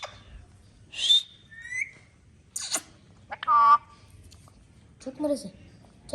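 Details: Hand-tame pet talking parrot indoors. Scattered short calls: a sharp whistled note, a rising chirp, a harsh burst and a buzzy tonal squawk, separated by quiet pauses.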